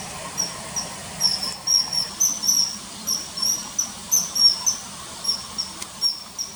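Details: Common kingfisher by a river, early September 2020, shown diving for small fish, with dubbed calls: piercing whistled notes in a brisk irregular series, a few brief clicks, over steady low hiss.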